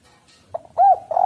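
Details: Spotted dove coo from a recording meant to stimulate doves to call: faint soft notes, then one strong arched hooting coo, and a further coo beginning at the end.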